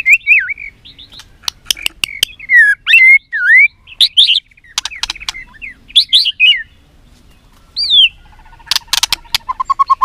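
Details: Caged white-rumped shama in Vietnam singing fighting song: varied looping whistles and slurred phrases mixed with sharp clicks and snapping noises, a brief pause, then a rising whistle and fast rattling notes.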